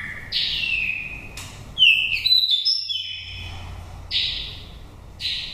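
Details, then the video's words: Wild-voiced oriental magpie-robin from Dak Lak, Vietnam, five moult seasons, used to spur birds into singing or to lure wild ones: separate whistled notes, then a quick twittering flourish, then further spaced whistles. "File chòe than đất mồi giọng rặc rừng"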